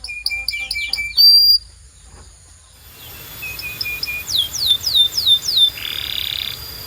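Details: Canary song used for training other canaries: a fast series of high, clipped notes, a brief pure whistle, a quiet pause, then a run of descending whistled sweeps and a short buzzy trill.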